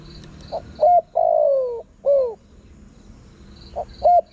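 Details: Spotted dove calling to attract wild birds: one full phrase with two short soft notes, a long drawn falling coo and a shorter arched coo, then the next phrase beginning, faint high hiss in the background.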